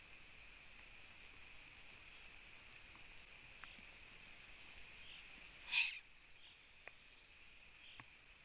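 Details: A Eurasian eagle-owl chick on a Latvian nest camera at 05:09 on 4 June 2017, with its mother absent and little food, gives one brief, harsh, hissing screech over a steady high-pitched background hiss.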